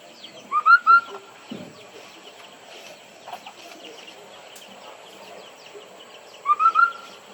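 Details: White-browed laughingthrush singing to call in other birds: a short burst of clear, rising whistled notes, answered by a matching burst about six seconds later, with quiet scattered chirps and faint background noise between.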